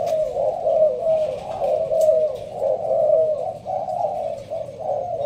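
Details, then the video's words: Malaysian-strain spotted dove from Binh Duong, Vietnam, kept in a leaf blind, giving a sparse-style thúc gù coo: low, mellow rolling coos repeated about once a second with slight rises and falls, plus faint clicks in the background. "Malaysia thúc gù bài thưa. thích hợp ae nuôi kiểng nghe gáy gù"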